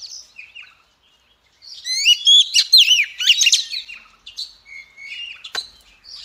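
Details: Oriental magpie-robin female in song that is meant to stir males to sing: a few soft opening whistles, then a dense, loud stretch of looping whistles and chips, easing into quieter notes.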